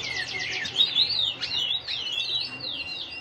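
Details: Male canary, in breeding condition and paired, ready for breeding, singing a rapid run of high, descending whistled sweeps and trilled notes over steady background hiss.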